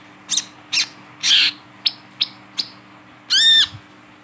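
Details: A wiceh singing actively while being held in the hand, used as a lure call for untrained wicehs: sharp, high chirps about every half second, with longer buzzy notes mixed in and a harsh, ringing phrase at the end; faint hum underneath.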